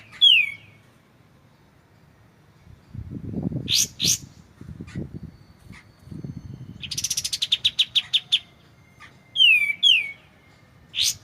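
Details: Kapas tembak, the white-shouldered triller, opens with a descending whistle, then after a low murmur gives high burst notes and a fast run of rapid pulsed notes, ending with two more falling whistles and a high chip.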